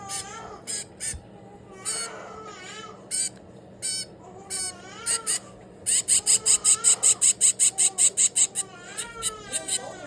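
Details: A 22-day-old finch chick being hand-fed gives short, high, harsh begging notes, scattered at first and then in a fast, steady run of about a dozen; a low-pitched human voice murmurs in the background.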